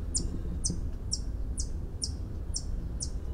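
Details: A White-eared hummingbird gives a steady series of seven sharp, high metallic tinks, one about every half second, over a low background rumble.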